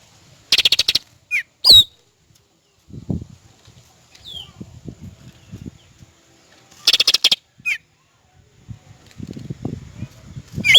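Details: Cucak rante in natural wild-type sound: bursts of dry rattling clicks alternate with short downslurred whistled notes. Quieter low rustling fills the gaps.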